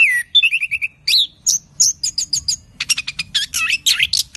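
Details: Orange-headed thrush, a vigorous singer, giving a fast varied song of clear whistled notes, short repeated chirps and rapid buzzy bursts, with abrupt changes of pitch between high and mid phrases.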